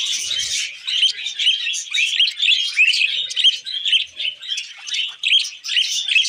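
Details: Budgerigars eating wheat germ give clear, rapid, buzzy chirps and warbled chatter in short repeated phrases, over an otherwise quiet background.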